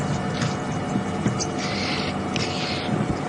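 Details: Red-billed oxpeckers, unseen, call at Djuma Game Reserve during a warm afternoon safari drive on 26 May 2015, giving two harsh, hissing churrs about half a second long over a low engine rumble.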